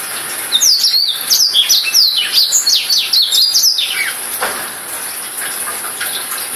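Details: Black-throated canary song: rapid run of high, sharply falling and rising whistled notes, about two or three per second, lasting four seconds, then a lone downslurred note amid steady high hiss.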